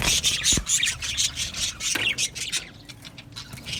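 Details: Budgerigar colony in an aviary, chirping: a quick run of scratchy chirps at first, then softer and thinner chatter, with a low thump near the start.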